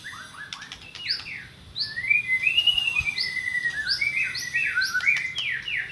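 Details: White-rumped shama song intended to draw a silent shama into singing: quick downslurred notes, then a long wavering whistle and a fast repeated series of sharp falling chips.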